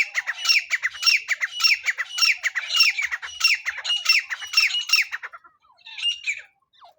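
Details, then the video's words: Francolin, known locally as teetar, calling in a sound used as a lure for trapping with a net: harsh, squawking notes repeated in rapid bursts for about five seconds, then a brief fainter squawk after a pause. "teetar hunting sound"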